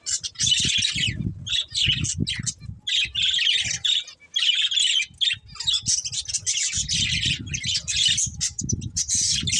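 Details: Budgies squawk and chirp in loud, harsh, buzzy bursts separated by short pauses, over intermittent low rumbling and thumps.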